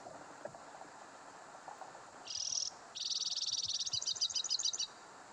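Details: Male white-winged crossbill singing in winter (January) near Timmins/South Porcupine, northern Ontario: a high, dry buzzy trill, a brief pause, then a long run of rapid, bright chattering notes over a soft low rumble.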